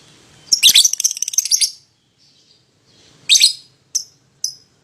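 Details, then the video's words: Lovebird lure song for drawing a rival into singing: a long rasping chatter burst, a harsh squawk, then short high chirps. "PASANGAN LOVEBIRD PAUD,!Pancingan Memanggil Lawan Agar Ikutan Bunyi"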